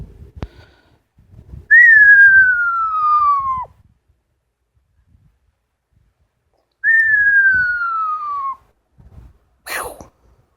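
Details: Pet female Amazon parrot repeating a long falling whistle twice, about five seconds apart, each sliding smoothly down for nearly two seconds, then a brief sharp squawk.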